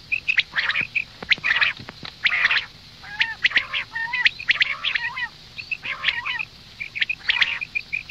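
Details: Calls of a female common quail: harsh, rasping bursts with a nasal, layered tone, mixed with sharp high chirps and clicks, coming about once a second in an irregular sequence.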